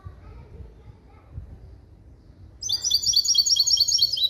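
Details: Limpio song of a bird bred from a male European goldfinch and a female canary, trained in clean goldfinch phrasing, 2021. Quiet background gives way to a sudden run of quick, high, metallic repeated notes.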